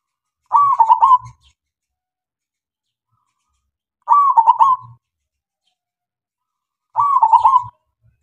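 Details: Zebra dove of local type, singing as a lure to set other doves singing: three rapid, bubbly coo phrases spaced about three seconds apart, with faint low knocks.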